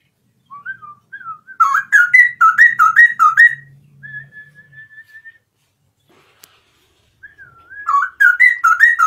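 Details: Loud morning singing from a straw-headed bulbul: soft lead-in whistles, then a burst of rich, repeated looping notes and a long, thin, level whistle. After a silent pause and a faint click, the loud phrase starts again.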